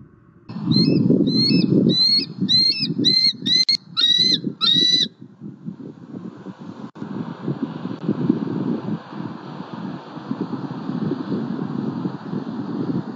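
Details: Bald eagle at a Southwest Florida nest on 20 October, the female very vocal around the male's squirrel delivery; a run of high, thin, stuttering chittering notes for about four seconds, then steady wind and low rumble.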